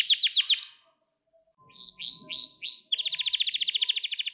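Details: Gloster canary training song meant to stimulate males: quick descending swept notes, a pause, then rising slurred phrases and a long rapid high trill of evenly repeated notes.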